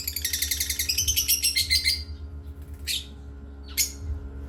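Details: Playtime parrot chirps in a quick pulsing series of bright, ringing tweets for about two seconds, followed by two isolated harsher calls. Low hum in the background.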